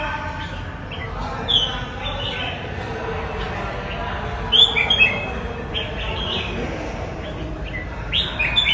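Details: Red-whiskered bulbul giving short bright whistled chirping phrases near 1.5, 4.5 to 5 and 8.5 seconds, over a steady low rumbling background with possible faint voices.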